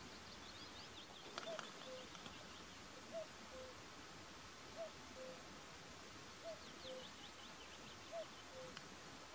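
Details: Short-eared owl of the nominate subspecies Asio flammeus flammeus, recorded in the mountains of Härjedalen, Sweden: faint, low, two-part calls repeated about every one and a half seconds over steady hiss and soft background noise.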